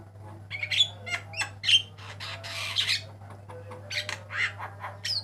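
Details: Master recording for cage-bird training of a Javan myna, white-eyed type: irregular harsh squawks, buzzy rasps and two short whistles, one rough note about every second, with low hum throughout.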